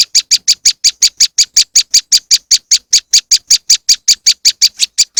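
A moss wren gives a fast, even series of high, sharp chip notes, about four to five each second, with no other sounds.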